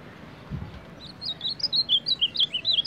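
An Ultramarine grosbeak sings a quick, varied run of about a dozen high whistled notes, rising and falling in pitch, after a soft low thump.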